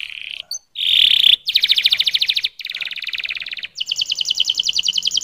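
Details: Canary singing a series of fast, dense trills at high pitch, each tour a rapid pulsing roll lasting about a second, separated by brief pauses, with a louder buzzy segment near the start; no other sounds.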